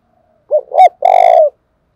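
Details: Provoking coo of a Spotted dove from Đồng Nai, used for training decoy birds: one close, low phrase of two quick bent notes followed by a longer, slightly buzzy coo that falls away at the end.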